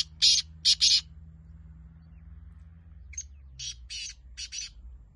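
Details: Black francolin voice: two loud, harsh notes, a silent stretch, then a softer series of five rasping notes in uneven pairs.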